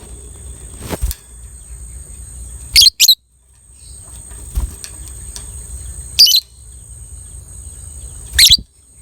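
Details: Lovebird of a violet ('biola') colour variety, played to stimulate other lovebirds' breeding drive and long trilling; four short, shrill, high chirp bursts spaced a few seconds apart over a low steady background hum.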